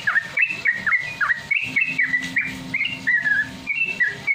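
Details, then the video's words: Sooty-headed Bulbul ropel song used to train caged birds: loud whistled notes, several swooping downward, others flat and clear, in an uneven but continuous run, with a faint low hum. "pancingan trucukan ampuh melatih trucuk biar Cepat bunyi Ropel"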